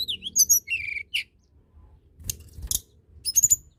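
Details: Blood-breasted flowerpecker (tledekan gunung) singing vigorously, a recording meant to prompt reluctant birds to sing: very high, thin chirps and short buzzy trills in scattered bursts, with a brief descending whistle, over a faint low hum.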